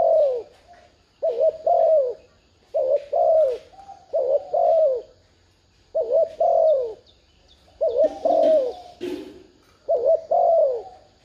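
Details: Luring coo of a spotted dove: six low two-part phrases, each a brief quavering note followed by a longer sliding-down coo, spaced roughly two seconds apart, with intermittent high buzzy hiss behind.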